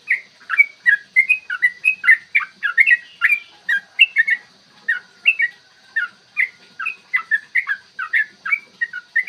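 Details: Fight-provoking 'ropel panjang' song of a yellow-vented bulbul, recorded in the morning: a continuous tumbling chatter of short liquid whistles, some clustered in quick doubles and triples, over a faint constant hum.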